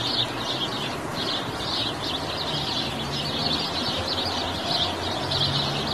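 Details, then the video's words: House sparrow giving continuous bright, high chirps in quick irregular succession, with a brief pause near the first second, over faint low background noise. "Canto e videos do passaro pardal"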